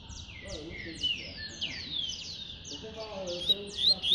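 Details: Double-collared seedeater singing in the tui-tui style. A run of sharp down-slurred high whistles rises into a bright buzzy trill at the end, over faint lower warbling.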